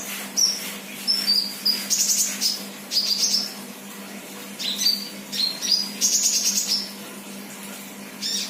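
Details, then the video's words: Sunbird, untrained 'bahan' bird in lively 'gacor' song: bright, very high chirps and short buzzy trills in irregular bursts with brief gaps, accompanied by a continuous low hum. "Burung kolibri bahan Gacor"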